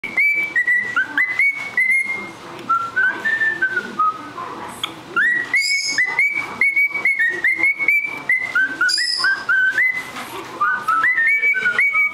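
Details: Cockatiel (Nymphicus hollandicus) in Saint John, New Brunswick, whistles a run of clear, stepped notes that rise and fall in a tune-like pattern.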